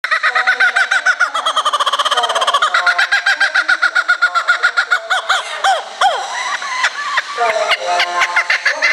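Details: Captive laughing kookaburra at a bird park in Japan, calling very loudly in response to the park's closing announcement over a loudspeaker: a long run of rapid, repeated chuckling notes building into raucous, cackling laughter.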